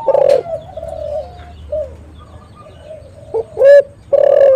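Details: Spotted dove, recorded for calling and trapping other doves. Muted coos from several birds run underneath, then a sharp short coo is followed by a loud, sustained coo.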